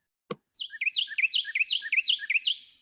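Carolina Wren song: a loud, rollicking three-note phrase, sweeping down in pitch, repeated about five times in quick succession. A single sharp click comes just before.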